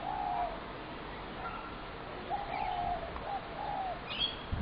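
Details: Spotted doves being fed in a Brooklyn Park backyard on 6 November 2016, creating constant noise: soft, low coos in short phrases about once a second, over steady background noise with a few higher chirps from other birds.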